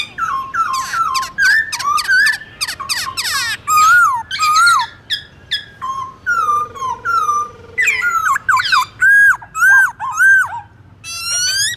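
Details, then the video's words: Forest-style morning song of the black-throated laughingthrush, used for tutoring young birds. Long rich run of quick upslurred whistles and sharp chips, with a brief steady lower hum midway, then clear repeated swooping notes. "Khướu bạc má hót giọng rừng Đảo giọng buổi sáng cực hay"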